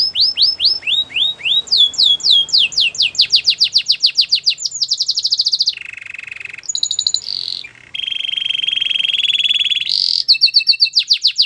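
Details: Belgian canary delivering varied tours: repeated sweeping whistles, a fast rattle, a low buzzy roll, a short high whistle, then a long sustained trill and quick repeated notes, with faint low background hum.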